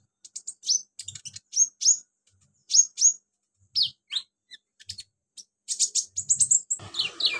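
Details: Sunbird known locally as kolibri ninja, its song full of borrowed cililin, cricket, golden grasshopper and chick sounds; clusters of sharp, very high downslurred tsip notes with pauses, ending in a fast dense chatter.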